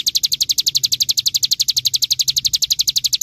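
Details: Bar-winged prinia tutor song for training songbirds: a high, very regular rattling trill of roughly nine sharp pulses each second, steady from start to finish.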